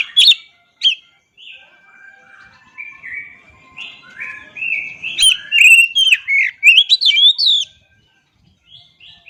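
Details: Oriental magpie-robin song: bright whistled phrases and sharp chirps leaping between pitches, with a short pause, then a dense run of rapid slurred notes that rise and fall before fading into soft trailing notes.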